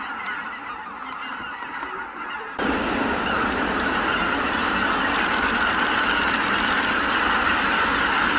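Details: A large flock of greater white-fronted geese leaving their roost bursts into a dense, continuous chorus of high, yelping honks, with a quieter murmur of calls before it.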